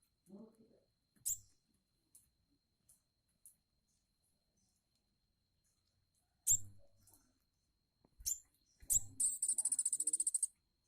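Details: Tame olive-backed sunbird giving a rapid, high, buzzy trill of evenly repeated notes near the end, after scattered sharp clicks and knocks and a brief low voice at the start.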